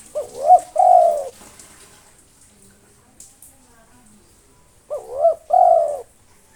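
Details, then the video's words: Spotted dove, a local bird kept singing to draw out rival doves, delivering two low cooing phrases about five seconds apart, each a short rolling double note and then a sustained throaty coo, with silence between. "SUARA BURUNG TEKUKUR LOKAL NAFAS PANJANG GACOR NONSTOP MANGGUNG 7 MENIT COCOK UNTUK MANGGIL LAWAN"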